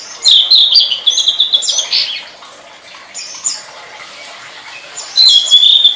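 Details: Tledekan singing on a master recording for training songbirds: loud runs of high, sliding, metallic chirps, then a softer pause, then another strong burst of high notes.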